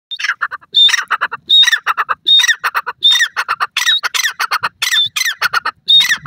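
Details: Grey francolin, known locally as dakhni teetar, calling loudly: a repeated phrase of a high whistled note followed by a rapid run of harsh squawky notes, repeated roughly every 0.7 seconds, with no other clear sounds.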